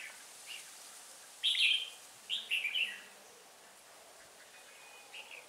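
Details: Red-whiskered bulbul used as a trapping decoy, from Hòa Bình, giving 'ché' style song on 18 December 2016: a soft note, then a loud bubbly phrase and three quick warbled bursts, ending with a faint note.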